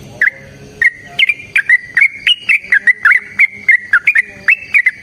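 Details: Sooty-headed bulbul singing a long, rapid fighting-style song used to provoke answers from other birds: a steady string of brief whistled notes, mostly level with small upward and downward slurs.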